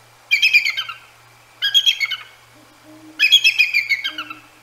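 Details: Bald eagle pair at the Decorah North nest, night around 10 p.m., mid-January 2024, woken and vocalizing at two Great Horned Owls hooting back and forth: three bursts of high, thin, stuttering chatter, each about a second, with faint low owl hoots in the gaps.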